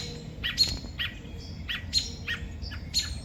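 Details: Distressed robin, in the morning, after losing its two chicks to a crow: clear, abrupt high chips dropping slightly in pitch, given about once every half second to second over quiet outdoor noise.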